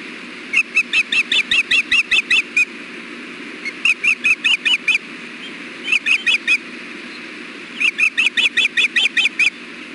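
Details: Osprey pair on the Hellgate nest during a fish delivery on 6.4.16, afternoon, recorded by nest camera. Four rapid volleys of high, whistled chirping notes, the first longest, with short silences between.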